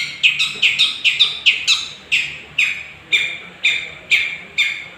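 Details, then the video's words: Young Long-tailed Shrike of the 'gondrong' type, used to provoke other birds: a series of harsh, clipped notes, quick at first, then slowing to roughly one every half second. "pancingan suara burung cendet gondrong muda gacor, dijamin langsung emosi"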